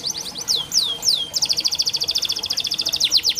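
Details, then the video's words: Canary song used as training material for canaries reluctant to sing: a few sweeping whistled notes, then a rapid rattling trill of short repeated high notes, ending in descending slurs. "Burung KENARI malas bunyi Terapi untuk burung kenari masteran canary"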